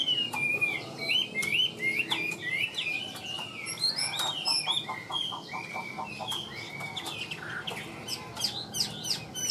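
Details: Hand-tamed Chinese hwamei in a cage pouring out a lively song: dense rapid whistled phrases, upslurs and downslurs tumbling together at a brisk, uneven pace, with scattered ticking sounds beneath.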